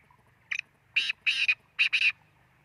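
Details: Black francolin calling: a loud, harsh phrase of five grating, broadband syllables between 0.5 and 2.1 seconds, a short opening note followed by grouped rasping bursts, with quiet low background hum.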